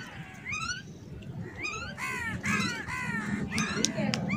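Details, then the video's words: Several crows squabbling over food, giving rapid, overlapping harsh calls, many falling in pitch, repeated about four times a second, with steady low background rumble throughout. "Crow Sounds | Kauwy Ki Awaz | Kauwa Bol Raha Hai | Crow Sounds Loud"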